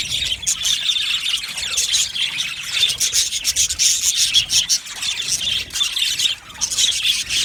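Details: An aviary colony of budgerigars keeps up a raspy, grating chorus of fast chirps and warbles, overlapping and steady throughout, with brief dips where a few birds fall quiet.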